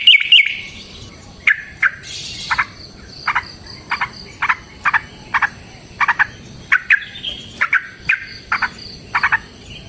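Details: Sparse bright chirps of a yellow-vented bulbul in fighting song, used as a lure, given about twice per second over a steady soft background hiss, with a brief higher buzzy burst near the start.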